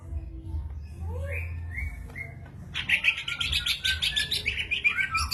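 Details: Greater green leafbird, gacor jamtrok singing: a few sparse, rising and falling whistles open the passage, then a dense, rapid burst of chattering, scratchy high notes pours out continuously to the end.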